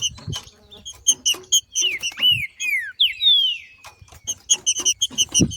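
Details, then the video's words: Wild green-winged saltator, a female 'macheando' to provoke singing in others; rhythmic short chips frame a middle phrase of several loud downward-sliding whistles and a thin trailing whistle. "Melhor Trinca ferro Macheando na NATUREZA e canto de trinca ferro para esquentar ao maximo"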